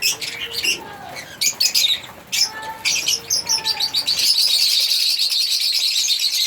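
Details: African lovebirds give scattered sharp chirps and squeaks in short broken bursts, then break into loud, unbroken shrill chattering over the last two seconds.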